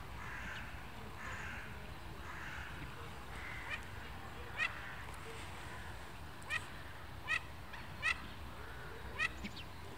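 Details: Mandarin ducks chattering in Royal Łazienki Park, Warsaw, Poland, as spring approaches: short, sharp, rising squeaky calls given singly at irregular intervals, about five in ten seconds, over a steady low rumble and a soft murmur of background sound.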